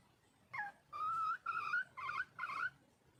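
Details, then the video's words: Wild junglefowl hen calling to attract a male, giving four drawn-out, nasal, whining notes, the first sliding downward and the later ones held level with slight wavering, separated by short pauses. "le bruit d'une poule sauvage,เสียงไก่ป่าร้องหาถู่หาตัวผู้,ສຽງໄກ່ປ່າຮ້ອງຫາຄູ່ຮັກ, poj qaib qus see"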